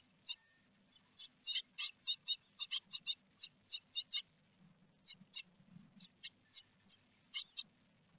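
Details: Great tit at a nest box in Théding, France, on 4 May 2021, with a large peanut on the menu: a series of short high clicking chips, some in quick runs, others spaced, over a low hum.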